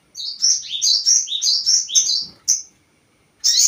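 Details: Crested jay lure call to provoke other birds: a fast series of high, downslurred chattering notes for about two seconds, a single sharp note, a pause, then another high burst starting.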